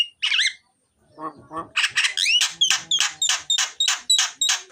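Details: Myna (jalak) singing loudly and fully, meant to get lazy mynas singing: an opening wavering whistle, low clucks, then a regular train of harsh, sharp notes about three per second.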